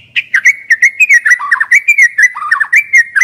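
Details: White-rumped shama decoy bird singing: a rapid, continuous run of clear whistled notes, some sliding down and others warbling, with short bright chirps between them, delivered at a lively pace with no other sounds.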